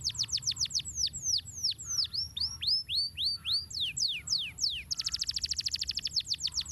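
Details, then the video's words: Canary singing a rolling master song used to train birds: rapid high descending notes, then slower swooping whistles that curve down and up, ending in a fast buzzy trill. "Masteran Kenari Gacor Ngeroll Nikmat"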